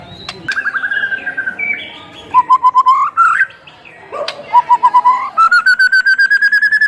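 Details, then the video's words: White-rumped shama singing a rich varied song meant to provoke other shamas: mixed whistles and short rattles, then runs of quick repeated notes that step upward in pitch, ending in a rapid steady series. "MURAI BATU GACOR FULL ISIAN TERMEWAH"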